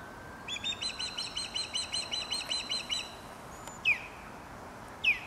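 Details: Calling osprey recorded in Dartmouth, Nova Scotia: a rapid string of roughly fourteen piercing whistled chirps, followed by two separate loud, downward-slurring whistles about a second apart.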